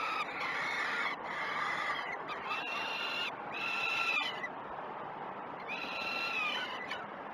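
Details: Peregrine falcon chicks begging at feeding time on the Great Spirit Bluff nest cam, 06:20, 12 June 2018. Several loud, raspy, harmonic cries come in bursts, with a quieter stretch before the calling resumes.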